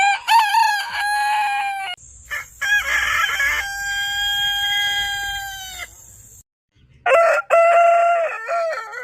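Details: Rooster giving a long crow: a wavering, nasal opening crow, then an extended, level ringing note sustained for about four seconds, followed by another wavering crow.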